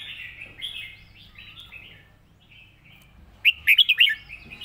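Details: Red-whiskered bulbul easy model song for teaching birds: a soft rambling warble gives way to a loud, fast burst of five ringing whistled notes near the end.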